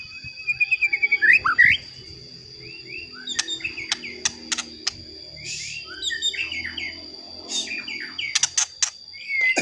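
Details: White-rumped shama song used as a lure to provoke other shamas: scattered whistled and buzzy phrases with a fast burst of repeated notes at the start, sharp clicks between phrases and a steady high electronic tone throughout.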